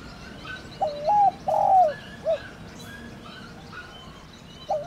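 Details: Calling coo of a spotted dove, also called cu đất, in the thổ đồng style used for luring. One soft three-note phrase of mellow rolling coos, a quiet pause with distant bird chirps, then the next phrase starts.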